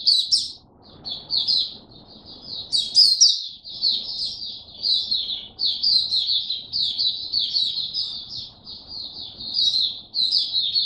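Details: Eleven seconds of high, rapid chattering warble from a hobby white-eye on its fifteenth day of a song supplement, 3 November 2022, with quick clustered chirps, occasional sharper accents and a few brief pauses over faint background noise.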